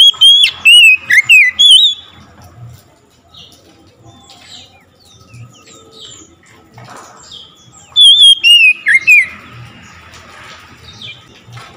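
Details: Responding to another magpie-robin's singing, an oriental magpie-robin gives two bursts of loud, varied whistled and warbled notes about eight seconds apart, with quiet, faint chirping in between.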